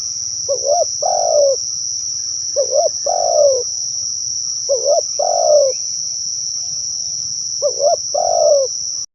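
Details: Spotted dove coo call for luring other doves, four two-note phrases, a brief rising coo then a longer descending one, about two seconds apart, with steady high insect buzzing throughout.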